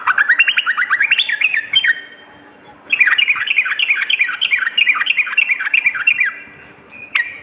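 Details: Sooty-headed bulbul in continuous full song, a lure and tutor recording for morning and night: fast bursts of bubbly, chattering slurred notes with sharp high ticks, pausing about one second midway, then resuming.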